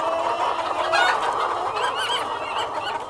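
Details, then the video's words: Farm chickens, cockerel with hens, in a dense overlapping chorus of clucks and warbling calls, with rising squawky notes near the end over a constant busy background. "World of Sound: (Cockerel and Hens)"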